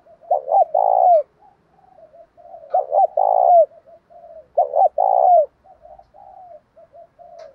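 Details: Three repeated coo phrases from a spotted dove, recorded to provoke fights and call in other doves during training. Each phrase has short hiccuping notes, then a long hollow coo falling at the end, with quiet coos between.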